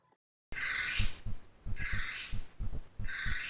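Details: Female North Island brown kiwi calling at night within 500 metres of Russell Wharf, New Zealand, recorded by a trail camera. Three hoarse, rasping calls, each under a second long, are heard over a steady low rhythmic thumping.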